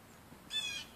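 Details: A hawk perched in a tree gives a single short, harsh, high-pitched cry. The owner does not know what the cry means.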